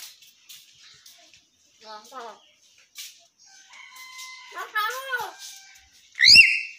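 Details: A talking common hill myna imitates human speech in harmonic, voice-like phrases, apparently telling someone to pray, followed by a sharp, loud whistle near the end.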